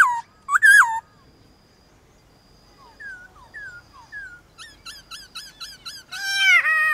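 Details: White-cheeked laughingthrush in a morning singing duel with wild laughingthrushes in nature: loud ringing notes, then a string of short falling whistles, quickening into rapid repeated chattering phrases and ending with a harsh, drawn-out note.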